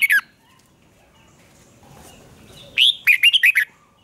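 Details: Red-whiskered bulbul duel singing for voice training: a short loud note, a pause with low background, then a lively phrase of five or six bubbling, whistled notes.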